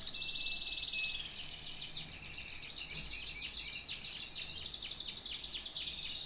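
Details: Canary pouring out a continuous high trilled song with fast rattling note series and sweeping chirps, barely pausing.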